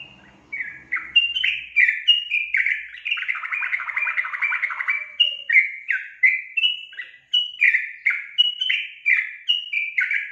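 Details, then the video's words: Sooty-headed bulbul in lively song gives short, bubbly whistled phrases about twice a second, broken midway by a brief burst of scratchy chatter, with a faint low hum at the start; finding: Sooty-headed bulbul. "SUARA BURUNG TRUCUKAN GACOR"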